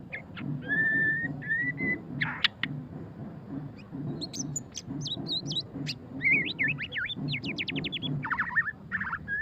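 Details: Ngeriwik-style song of a white-rumped shama (murai batu pastol): steady whistled tones, then varied looping phrases and a fast stuttering trill of sharp notes, against a constant low droning background.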